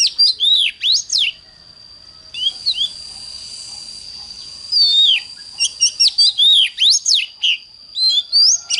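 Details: Oriental magpie-robin singing in the morning in the fiery 'hót căng lửa' style: repeated bright whistled phrases with swooping notes, briefly interrupted by a soft hiss, then resuming with rapid chirps and whistles over a continuous high tone.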